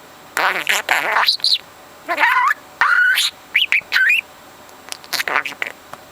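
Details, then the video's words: Four-month-old parrot putting mimicked words together in sentences; buzzy voice-like phrases alternate with clear rising whistles and short chirps, in about six separated bursts. "Bird Puts Words Into Sentences on his own"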